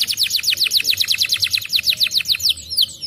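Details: Canary song used as a lure to prompt another canary to sing: a fast, even series of high, sharply falling whistled notes, about eight per second, ending in a few longer sweeping slurs. The sound is clean and loud.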